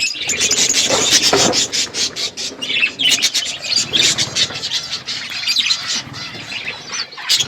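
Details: Budgerigars, kept as pets, on a winter morning, chatter in dense high chirps and warbles with squawky notes, many birds overlapping almost continuously, with some soft flapping and low background rumble.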